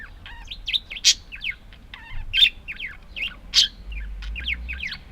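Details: Several budgerigars twitter in quick high chirps and buzzy notes, punctuated by sharp loud clicks, steady chatter throughout.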